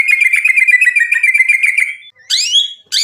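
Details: Caged white-rumped shama giving a rapid buzzy trill for two seconds, then a short gap and loud, sharply rising whistled notes.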